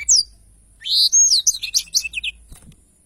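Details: Short phrase of Black-throated Canary song in the long rolling style, clean tutor recording: a sharp opening chirp, a pause, then a rapid cascade of high slurred whistles and chips.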